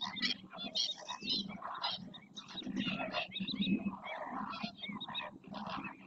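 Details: A crowded, steady babble of harsh, nasal honks from several flamingos dancing together in the Doñana marsh near El Rocío, Spain, with head-turning, wing-flashing and splashing display; calls overlap constantly with no clear gaps.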